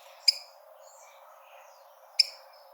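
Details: Tico-tico, the rufous-collared sparrow, sounding a challenge call meant to stimulate birds early in the breeding season: two loud, sharp, ringing chips about two seconds apart, with soft distant bird twitters and hiss between.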